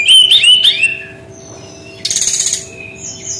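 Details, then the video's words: Brown-chested jungle flycatcher singing its unique 'tembakan' style: a quick wavering whistled phrase, a pause, then a buzzy high burst and a thin whistle, over a faint hum. "SUARA UNIK GAYA TEMBAKAN BERKICAU BURUNG SRDC"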